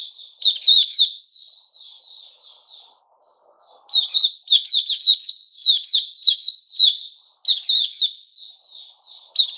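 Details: White-rumped shama called puteh raja, recorded 29 August 2021: loud, falling chirps give way to soft warbling and a short silence, then energetic bursts of high, rapid chirped phrases resume.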